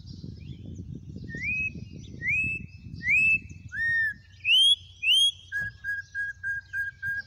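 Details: Campo troupial (corrupião) singing in the wild in Brazil: a series of loud, clear, rising whistled notes about a second apart, then a dropping phrase and a run of six short, even, steady whistles, over low rumbling background noise.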